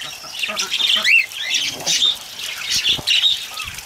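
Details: Cockatiels bathing in the rain, giving a busy run of short, bright chirps and squawks, some rising and falling, overlapping one another, with a steady wash of rain and splashing behind them.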